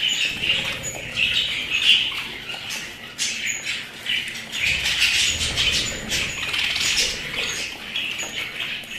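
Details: Kept budgerigars chattering steadily, scratchy warbles mixed with sharp chirps and brief squawks, the flock noise swelling and easing in waves.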